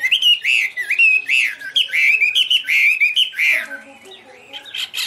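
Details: Chinese hwamei singing loud, pure, high phrases: a rapid run of rich warbled and slurred whistles, rising and falling notes repeated several times a second, ending in softer lower notes with a few sharper calls.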